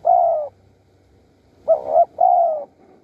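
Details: Spotted dove in Surat Thani, Thailand, at Bang Bai Mai, a wild bird calling while doves are lured with a decoy. It gives a low, mellow drawn-out coo, a pause, then two short hollow coos and another long falling coo.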